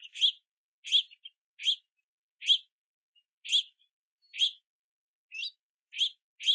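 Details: Juvenile house finches begging for food below and on a backyard platform feeder in the rain, parents bringing sunflower seeds; short harsh chirps about every 0.7 seconds, with a few thin slurred notes between.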